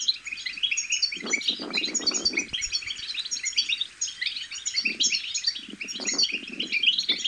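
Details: Young European goldfinches babbling, used to motivate goldfinches to sing; continuous high twittering chirps, with lower murmuring noise rising underneath in patches.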